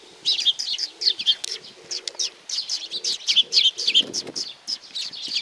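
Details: Several sparrows gathering for food at Tenmangu shrine in Nakanoshima, 7 June 2020: bright overlapping cheeps in quick clusters, with a soft low background hum.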